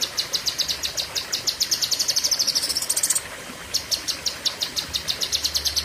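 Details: Cucak kinoi delivering a fierce, long sharp burst of song: rapid, evenly repeated high chirps with a brief rising buzzy run in the middle, then a pause and more quick chirps.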